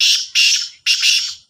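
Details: Loud, coarse black francolin calling during a contest between two birds: three long, rasping, buzzy notes running almost together, each fading at its end.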